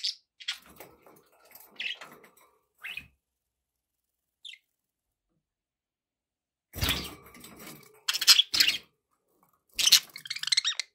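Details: Budgies kept as pets giving scattered bright chirps and squawks, interspersed with broadband clicks and knocks and a long quiet gap in the middle.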